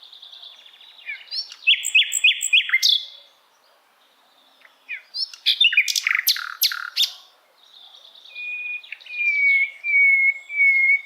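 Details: Asian brown flycatcher singing, used as a recording for songbirds to imitate: buzzy chatter with a run of slurred whistles, a pause, a dense burst of sharp high chips, then long thin whistled notes repeated.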